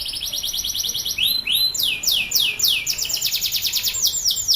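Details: Loud male canary song meant to spur silent canaries into singing: rapid high trills, then a long series of quick repeated descending whistled notes, very bright and continuous.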